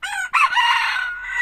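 A red junglefowl crows: a brief opening note, then a hoarse, drawn-out phrase held steady for over a second. Nothing else stands out.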